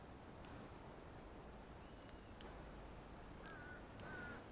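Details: Male Northern Cardinal at a feeder, eating seeds off a ripe banana, repeats his feeding chirp: three sharp metallic chips, while a soft, lower, wavering whistle from another bird sounds faintly near the end.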